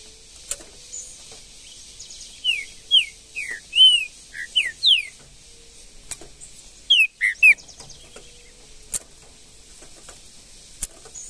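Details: In Brazilian bush, a wild green-winged saltator delivers a run of bright downslurred whistles, pauses, then adds a quick burst of three more notes, with scattered faint clicks between phrases.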